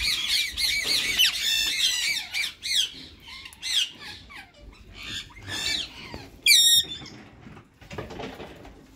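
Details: A white male rose-ringed parakeet and a green bird, said to be in talking mode, produce fast, busy chatter at first, then scattered squawks, including one loud piercing call near the end, over background noise.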